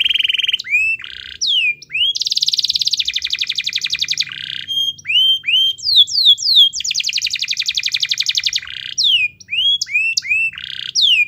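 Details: Energetic canary song used as a lure to get a reluctant canary singing: fast descending whistled slurs alternate with long dense buzzy rolls and rapid trills, nonstop for the whole stretch.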